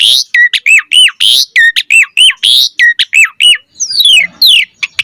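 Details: Asian pied starling singing hard, as a lure for reply: fast series of loud arched whistles alternating with harsh bursts, then long downward-sweeping notes and a few short high chips at the end.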